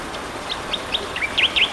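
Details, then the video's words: Tektekreyod bird giving a rapid run of short chirps that grow louder, ending in two strong sharp V-shaped notes, over a soft hiss. "suara burung tektekreyod"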